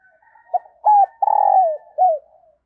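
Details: Decoy spotted dove cooing early in the morning to lure wild doves: one phrase of soft, hollow coos, two short notes, then a long throaty coo sliding down, then a final shorter falling note.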